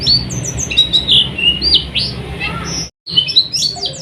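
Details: Oriental white-eye song used as night-time training to get caged birds singing: rapid high thin whistles and chirps, sliding and trilling, with a brief gap near the end and a low background hum.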